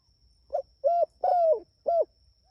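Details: Calling out to its companions, a Spotted dove gives one full cooing phrase: a short soft lead-in note, a steady coo, a long descending croo, then a crisp final coo, with a quiet constant high whine.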